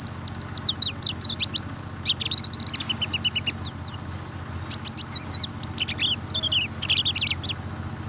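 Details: Lure recording of white-eye song meant to set off a bird that rarely sings: a lively, continuous twitter of high sweet chirps, short trills and rising-falling notes, with a faint low hum.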